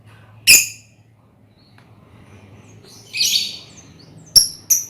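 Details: Hand-reared lovebirds in a colony, sound meant as a lure for ngekek trilling: three or four isolated shrill, sharp squeaks separated by quiet gaps, with a faint low hum behind.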